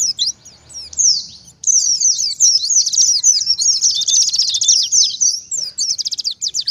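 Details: Oriental white-eye singing wild ngalas style as a lure for wild white-eyes: shrill rising chirps leading into a long, dense twittering run and a fast buzzy trill, ending in quick clipped notes.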